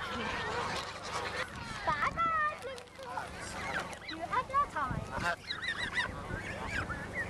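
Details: Canada goose being fed, appearing to answer a child speaking to it: wavering, squeaky honks and nasal calls mixed with the child's voice and adult talk.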